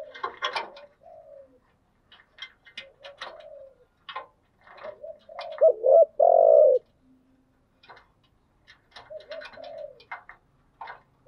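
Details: Spotted dove used as a decoy to draw in wild doves: soft scattered coos among frequent clicks and rustles, with one loud double-then-long coo phrase near the middle.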